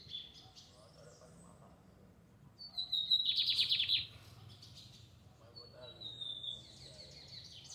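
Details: In a Fátima neighbourhood square, a lined seedeater sings a high sliding whistle and then a short, loud, rapid buzzy trill. Several seconds later it gives a fainter whistled phrase, over a quiet low hum.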